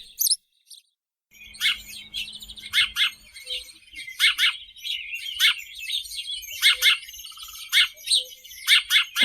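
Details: House sparrow song: after a short opening gap, a busy run of short, harsh chirps comes in quick bursts about once a second, with a steady chattering trill underneath and a faint low hum early on.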